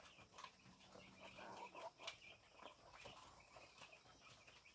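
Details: Chickens in the morning, giving a short cluster of soft clucking notes near the start, then scattered quieter clucks over a faint, steady rural background.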